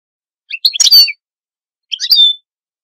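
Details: Two short, high twittering call notes from a goldfinch, spaced about a second apart, each a brief cluster of chirps ending in a thin whistle.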